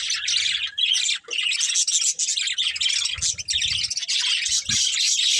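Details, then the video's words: Breeding pair of budgerigars chattering continuously: dense, scratchy warbles and squeaky chirps run almost without pause, with a brief gap near the one-second mark and faint low thumps beneath. "Cute Budgies Chirping Sounds"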